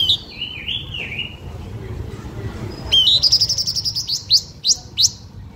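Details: Blue-winged minla luring song meant to excite and attract other birds: wavering whistled phrases, a pause, then quick high repeated notes ending in three separate rising sweeps.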